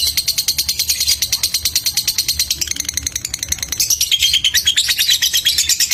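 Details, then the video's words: Ticking song of a fighter lovebird during a mental test: steady rapid high ticks at roughly three per second, with raspy chattering growing louder and higher toward the end. "TES MENTAL LOVBIRD FIGHTER||Ngetik-ngetik lanjut bunyi"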